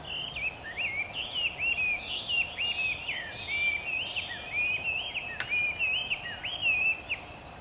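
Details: A Chinese hwamei near Niiharu Citizens' Forest in the morning pours out a loud, continuous song of varied, slurred whistles, rising and falling over several seconds, like vocal practice, with soft background hiss.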